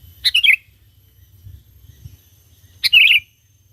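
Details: Sooty-headed bulbul singing lively as a lure to call wild bulbuls: two short, bright twittering phrases, each a quick burst of high chirpy notes, about two and a half seconds apart over a faint low hum.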